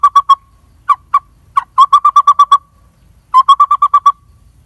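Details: Lineated barbet near a nest in a dead durian tree hollow, adults feeding a chick about to fly; clear hooting notes, singly and in quick runs of about six, with brief pauses.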